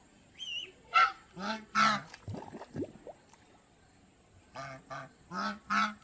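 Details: Harsh, repeated honking from domestic geese at Planet Earth Aquarium, Mysore, delivered in quick bursts of three to four calls, with low grunting sweeps between groups and a faint steady high whine throughout.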